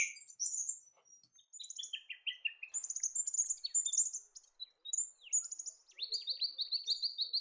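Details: Australian pipit in grassland in the New England region of NSW, Australia, where it dashes about chasing insects: thin, high chirps and sweeping notes, ending in a quick run of repeated rising notes.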